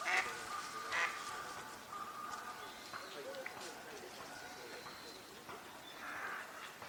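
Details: Eurasian wigeons at a park pond in Chiba, Japan, in December 2025 give clear whistled calls, several overlapping at an irregular pace, mixed with calls of Northern Pintails and Spot-billed Ducks and low background noise.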